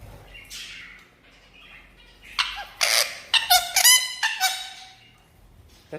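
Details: Pet red-breasted parakeet that speaks and greets visitors; a run of loud nasal squawks and honking calls, some harmonic and descending, while its owner repeats a greeting phrase in Vietnamese.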